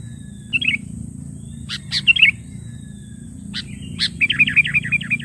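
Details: Sooty-headed bulbul as a lure to call rivals: short bubbly phrases, a few sharp clicks, then a quick even series of about seven bright falling notes at the end, over a low hum.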